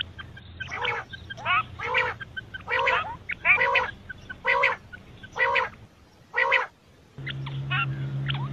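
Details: Quail, male and female, calling for morning and night: a steady run of rough, grating bursts, each under half a second, repeated roughly every second, with brief thin chirps and a loud low hum near the end.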